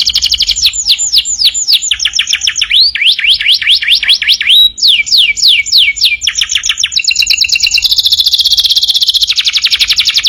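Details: Canary singing for a master recording meant to teach other birds: a varied chain of fast trills, rising and falling sweeping notes and rolling phrases, ending in a sustained buzzy high trill.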